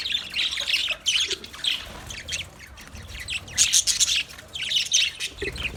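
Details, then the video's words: Budgerigars of a colony squawking and chattering, uneven bursts of harsh, buzzy notes rising and falling in loudness, with many birds calling over each other. "Budgies chirping sounds"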